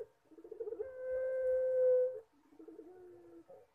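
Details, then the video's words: Performing puter pelung collared dove: a quick burst of stuttering notes builds into one long, loud, perfectly level coo, then a softer, lower stuttered phrase trails off at the end. "PUTER PELUNG MANGGUNG - SUARA HOROR"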